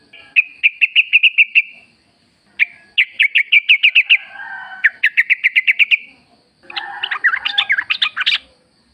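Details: Wild-style Sooty-headed bulbul song played to make caged bulbuls sing back: three long, even runs of rapid chirps separated by brief pauses, ending in a loud, jumbled, warbling flourish.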